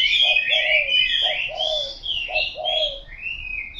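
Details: Three soft coo phrases from a spotted dove, each a short clipped note leading into a longer sliding coo, under busy, louder whistled chirps of other birds.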